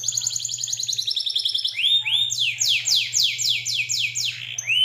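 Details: Local canary in full song, recorded as master training material: high fast trills give way to a series of loud, sweeping rising notes repeated about three times a second, with a faint low hum underneath.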